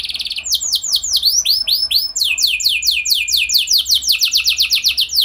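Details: Canary lure song for making other canaries sing: varied phrases of curved, looping whistled notes, then long runs of rapid descending sweeps repeated in quick succession, over a low hum.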